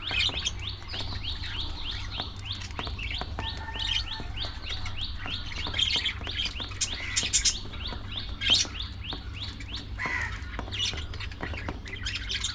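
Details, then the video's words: Budgies at early morning feeding time, continuous flock warbling of short rising and falling chirps, occasional sharper squawks, over a steady low background hum. "Budgies Full Time Activities | Early Morning Feeding Time"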